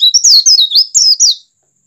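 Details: Loud, brief phrase of an Oriental white-eye, sung to stimulate others to sing: a string of about six bright, high whistled notes, some rising and some falling, run together over under a second and a half, then silence.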